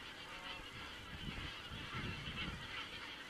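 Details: Geese on an Estonian crane camera, 27 September 2017: a thick wall of honks from many birds calling at once, with low rumbling bursts in the background.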